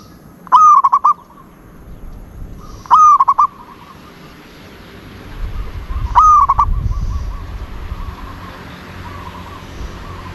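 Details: Zebra dove song, three rolling coo phrases, each starting with a quick upward flick and breaking into rapid pulsed notes. A low rumble of background noise rises after the third phrase.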